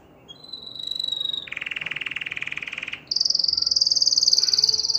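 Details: Canary singing to stimulate females to mate; a steady whistle, then a long buzzy rolling trill, followed by a loud, high, rapidly pulsed trill held for two seconds.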